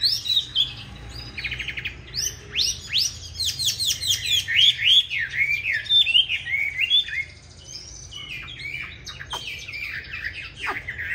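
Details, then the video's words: Chinese hwamei fighting-style song ('hót đấu') from a 'Lục Đậu'-eyed bird, meant to teach others a gentle song: buzzy rattles give way to a dense run of bright looping whistles, then softer scattered notes. "Họa Mi Mắt Lục Đậu Thanh Hót Đấu ( Dùng luyện Mi hót bài êm không gắt )"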